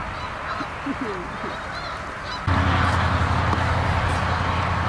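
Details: Canada geese at South Utica Reservoir in Utica, New York, in November; a few short honks sound in the first seconds, then a steady low hum of background noise takes over.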